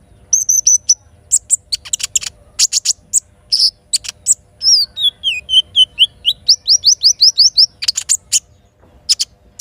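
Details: Morning song of a little spiderhunter carrying kinin filler phrases, set against river and forest. Rapid high chips give way to a series of rising whistled notes repeated in a quick run, then more dense chipping.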